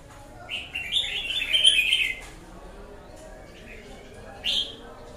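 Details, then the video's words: Red-whiskered bulbul delivering a fast, bubbling warbled phrase lasting about a second and a half, followed by a pause and one short bright note, with quiet background noise. "Chào mào bổi lở"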